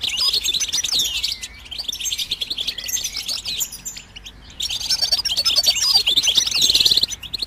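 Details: Goldfinch song for stimulating other birds to sing: continuous quick twittering and liquid trills, which drop to quieter chirps mid-way and then return louder and denser.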